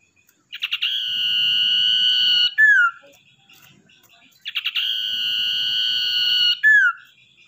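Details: Common iora, caught wild and tamed, used as a lure bird: two repeated phrases, each a stutter of short notes running into a long level whistle that drops in a quick slurred ending, separated by brief quiet twitters.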